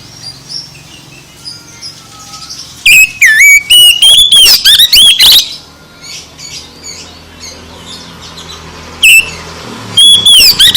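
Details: Oriental magpie-robin in loud song, meant to rouse a sluggish bird into singing: a rapid string of whistled, sliding and buzzy phrases for about two and a half seconds, a pause with soft chatter, then more whistles.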